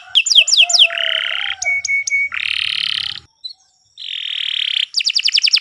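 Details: Kenari, canary, delivering continuous master song for training birds: swooping whistles, buzzy rattling rolls and clipped notes, a brief pause, another long buzzy roll, then swift descending whistles; faint low hum in places.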